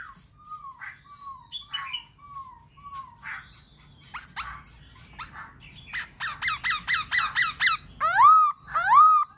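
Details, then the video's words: Black-throated laughingthrush song used to stimulate other birds: soft falling whistles and scattered chirps, then a rapid burst of harsh, buzzy repeated notes, ending with two loud rising whistled phrases. "Khướu bạc má kích bổi hót múa dễ dàng"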